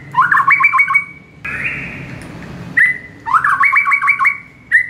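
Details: Morning song of a white-rumped shama used to train caged birds: clear sustained whistles with fast warbling phrases, repeated twice, separated by a rising whistle over a brief rushing hiss.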